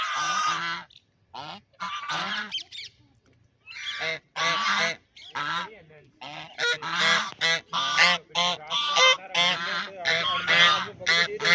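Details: Duck making noise while playing in a pond; sporadic raspy quacks at first, then a rapid, steady series of short, harsh honking notes that grows louder toward the end.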